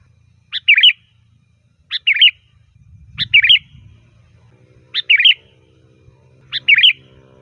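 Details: Sooty-headed bulbul song used to call bulbuls: five clear phrases of a short note and a quick warbled flourish, repeated about every one and a half seconds, with faint low hum.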